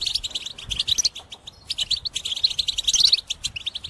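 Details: Caged European goldfinch singing intensely, a song meant for trapping: a dense, continuous stream of high tinkling twitters and chirps with brief gaps, faint low noise behind.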